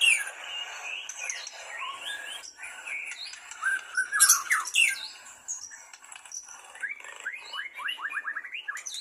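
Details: White-rumped shama, a breeding bird said to have fathered many young, sings a varied run of rich whistles, slurred upward and downward notes and brief harsh bits, ending in a quick series of rising notes.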